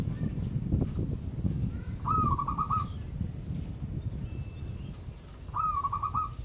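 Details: Local wild-type zebra dove singing actively: two cooing phrases, each a bright opening note followed by a quick, bubbling, stuttered run of even notes, about three seconds apart, over a steady low rumble.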